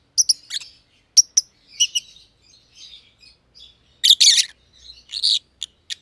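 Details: Green and green pied personata lovebirds in an aviary give scattered sharp chirps and faint twittering, then a louder raspy burst of chatter toward the end.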